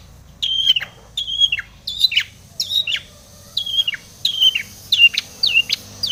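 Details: Long-tailed shrike singing energetically with a full mimicked repertoire, used as a lure to provoke other shrikes to sing: a series of high, bent whistled notes, each sliding down at the end, repeated about every half second against a quiet background.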